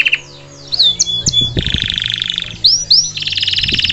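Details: Canary song of swooping high whistles and sharp notes, a steady rapid buzzy trill, two more rising swoops, then another fast trill, with low knocking sounds in the background.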